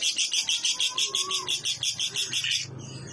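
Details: A lovebird's ngekek, used as isian tembakan kores training material for other birds: a brisk run of bright, regular chattering pulses lasting about two and a half seconds, ending in faint low background noise.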